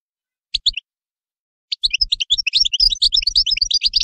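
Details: A European goldfinch gives two short high chirps, pauses briefly, then launches into fast, tinkling twittered song of jumbled high notes and quick trills that runs to the end.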